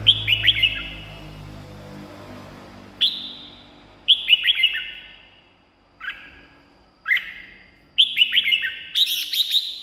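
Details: Red-whiskered bulbul song, used to stir caged birds or draw wild birds: separate short whistled phrases roughly once a second or two, each a quick falling flourish, louder jumbled phrase at the end.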